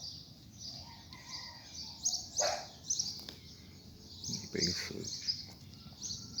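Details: Coleiro after rain, urged to loosen its song: a continuous string of high chirping phrases, with knocks and lower broadband noises breaking in.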